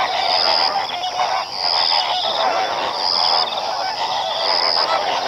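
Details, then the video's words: Greater and lesser flamingos calling together as a flock: dense, nasal, goose-like honking and gabbling chatter without pause, overlaid by a thin high tone that recurs about every one and a half seconds. "Lesser and Greater flamingo | Sound effects"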